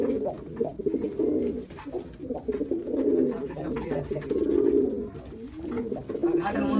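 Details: Jacobin pigeon, a domestic breed, coos in low, throaty, rolling phrases that swell and fade almost continuously, with a faint high hum in the background.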